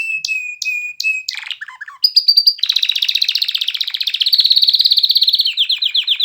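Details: A canary sings with a clear voice: three evenly spaced sharp whistled notes, a brief scratchy phrase, then a long, very fast pulsing trill that slightly changes pitch.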